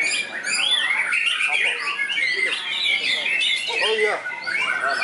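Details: Trained white-rumped shama tested at a contest field, pouring out a dense, fast run of high whistles, chirps and buzzy notes with hardly a pause, while voices and other birds mix in the background.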